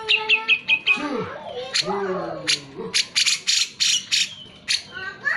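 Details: A grey-cheeked bulbul in full song, used to prompt reluctant birds to sing, gives a quick run of clear, ringing notes, then harsh, raspy chattering bursts repeated several times a second, loud and close.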